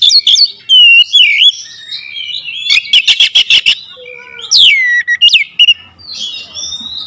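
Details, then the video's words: Oriental magpie-robin lure song: loud sharp whistled phrases, a rapid train of clicking buzzy notes, then swooping falling whistles and varied chatter in a rich, fast medley. "PANCINGAN KACER POWER JELAS TEMBAKAN PEDAS"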